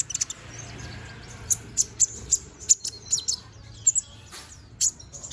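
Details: A featherless young brown-throated sunbird chirps energetically: single sharp, high ticks spaced roughly every half second, some doubled, above a low steady hum.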